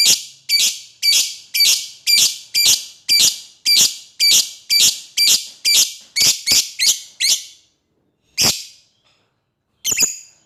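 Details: Lovebird calling out to an opponent in a long run: about fourteen shrill, buzzy chirps delivered rapidly, roughly two per second, then a pause and two more isolated calls.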